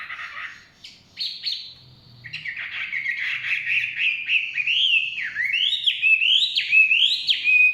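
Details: Chinese hwamei singing in forest: opening scratchy notes, then an accelerating series of rising whistled swoops repeated roughly every half second, growing louder.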